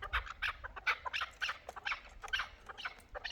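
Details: Hybrid and local chukar partridges calling: short, harsh, clucking notes repeated about once a second, several overlapping, with low rumbling noise underneath.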